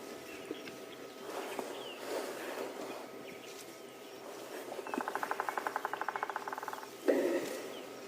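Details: Bearded woodpecker in the morning on a Sabi Sands game reserve, South Africa, giving its territorial trilling call, a rapid run of about twenty sharp notes over two seconds ending in a louder burst, echoing down a drainage line.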